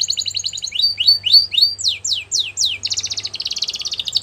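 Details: Canary song intended for training young canaries: a fast trill, repeated rising whistles, long falling slurs, then a dense, rapid buzzy trill to the end, with a faint low hum beneath.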